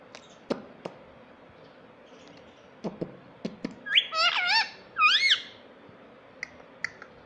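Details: Pet rose-ringed parakeet talking indoors: a few soft taps, then two short clusters of quick, squeaky, bending syllables over a steady low background hum.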